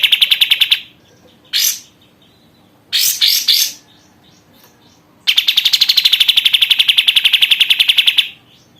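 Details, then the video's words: Active caged sooty-headed bulbul, cared for one month: quick rattling trill, a lone sharp note, a cluster of loud harsh chirps, then a long three-second run of rapidly repeated buzzy notes. "BURUNG KAPAS TEMBAK GACOR"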